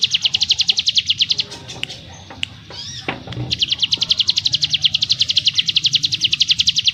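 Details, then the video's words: Sunda forktail (ciblek gunung) singing rapidly and densely: a long, fast, evenly pulsed high buzzy trill, broken near the middle by a brief pause with a few faint whistles, then resuming steadily to the end. "Burung CIGUN ngebrem nembak rapat - ciblek gunung master suara TEGAS"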